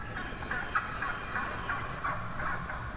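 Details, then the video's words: Wild turkey hens calling in a huge flock one morning in the turkey woods, a steady series of short yelping notes around the mid range, overlapping and repeated several times a second over low background rumble. "REAL Hen Turkey Vocalizations"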